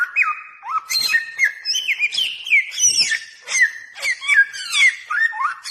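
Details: Bare-throated whistler, a songbird endemic to Flores and Sumbawa in Nusa Tenggara, Indonesia, singing as a lure bird: loud, varied whistled phrases sliding up and down, with sharp higher notes mixed in, continuous and dense.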